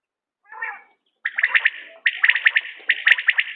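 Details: Common quail call from a quail-hunting recording: after a brief lower rasping sound, two bursts of sharp triple-pulsed notes, clipped and repeated quickly, ringing bright and high over a quiet background.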